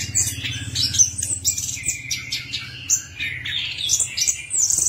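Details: Lure song of an Orange-headed thrush for prompting a bird that has stopped singing: high sweeping whistles and clipped chirps, with a held mid-pitched note in the middle, over a low steady hum.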